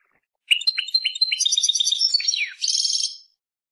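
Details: European goldfinch delivering one fast, lively phrase of clipped chirps and tinkling twitters, a swooping downward slur, then a buzzy trilled flourish at the end.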